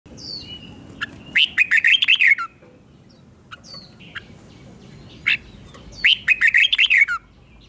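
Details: Red-whiskered bulbul giving its doubled 'double' style song, played for young birds to copy: two bursts of rapid, bright, warbling chattering notes about five seconds apart, with a few scattered single notes between, quiet background.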